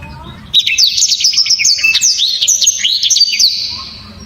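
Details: Blacktrod singing with the hard, clear 'tembakan' delivery: a sudden three-second torrent of high, rapid chirps and slurred whistles, closely packed, then fading out.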